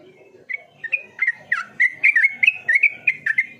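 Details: Yellow-vented bulbul, a bird kept for training to sing, giving a lively run of clear whistled notes, each short and slurred up and down, about eleven in quick irregular succession over a quiet background.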